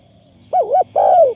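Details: Spotted dove used as a decoy, its phrasing light and pleasing: one brief phrase of a doubled, bouncing coo followed by a sustained, gently falling note.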